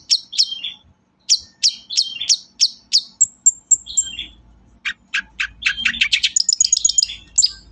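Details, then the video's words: Long-tailed shrike singing as a lure for other shrikes: evenly spaced sharp double chips, thin high notes, then a rapid excited jumble of chips and trills. "SUARA BURUNG PENTET GACOR, AMPUH UNTUK PANCINGAN PENTET KURANG GREGET"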